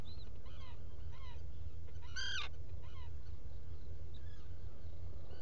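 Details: Black guillemots at a nesting burrow on Seal Island NWR, Maine, recorded by a burrow camera in the early morning, 2018: short, thin, harmonic whistled notes in loose series, one louder, rising call midway, over a steady low rumble.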